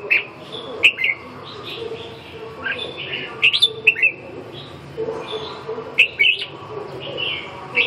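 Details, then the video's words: Red-whiskered bulbul sizing up a rival with bright, slurred chirps in clusters every second or two, some sharp downswept notes, against constant hiss. "ché thăm dò đối thủ"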